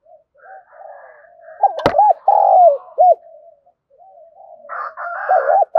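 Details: Spotted dove giving a full set of soft gù coos and gáy calls, used to train decoy birds to call readily. A faint low murmur leads into loud, throaty looped coos. A sharp click is heard, and a brighter, buzzier overlapping call comes near the end.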